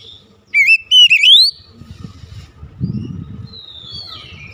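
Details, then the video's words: Oriental magpie-robin song, lively and varied. A quick trio of looping, upslurred whistles is followed by near quiet with low rumbling, then a faint, drawn-out falling whistle at the end. "PANCINGAN KACER LANGSUNG ANGKAT SUARA GACOR BONGKAR ISIAN"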